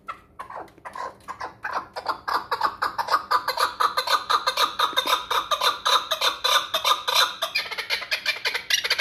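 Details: Hunting chukar partridge from the Pamirs in a fast, accelerating rally of raspy chuck notes, about three per second, swelling into a dense rolling chatter that runs to the end.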